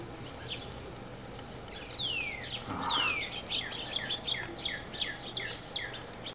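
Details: Goldfinches, a male and a female, visit a feeder. Two sharp, falling whistled notes come first, then a quick, uneven string of bright, high twittering chirps. A low background murmur runs throughout.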